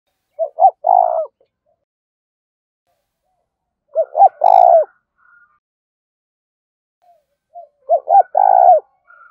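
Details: Spotted dove giving the urgent 'gáy thúc' coo, three phrases about four seconds apart, each of short clipped notes leading into a long rolling coo with a falling tail, with quiet pauses between.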